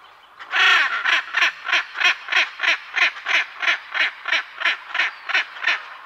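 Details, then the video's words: {'text': 'From a pair of hyacinth macaws, one strong opening squawk, then a long, even series of about fourteen grating, clipped calls, steadily spaced around three per second, recorded at close to medium distance with other parrots and birds in the background.'} "Hyacinth Macaw. MCU-MD Calls From A Pair."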